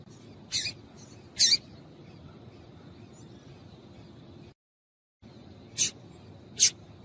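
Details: Female double-collared seedeater calls used to stimulate a male to sing: four short, sharp high chips in two spaced pairs over a steady background hiss, with a brief silent break.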